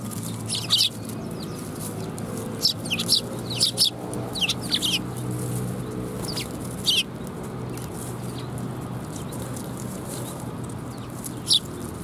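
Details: Group of sparrows gathering for food at a Tenmangu shrine on 7 January 2021. Loud, clipped chirps, some sliding downward, come in irregular clusters during the first seven seconds, then a lone chirp near the end over low rumbling background.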